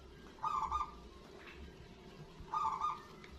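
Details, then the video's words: Zebra dove of local stock with a big voice, meant to stir other doves into calling: two brief, bubbling, stuttered coo phrases about two seconds apart, mid-pitched and even, over steady faint background noise. "PERKUTUT LOKAL SUARA BESAR"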